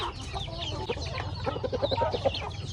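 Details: Backyard chickens feeding on corn give a quick series of short repeated clucks, about six in a second, over soft pecking and low background noise.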